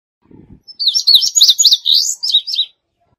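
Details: A soft low thump, then an indigo bunting sings a bright, rapid sequence of paired high notes rising and falling for about two seconds.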